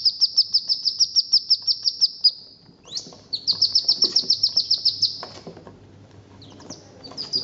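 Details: A hooded merganser duckling, wood ducklings and one mallard duckling together give rapid runs of high, shrill peeps, about five or six a second, in bursts of a dozen notes with short pauses between.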